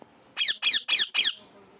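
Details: Pet parrot calling four loud, grating squawks in a row, evenly spaced and about equal in length.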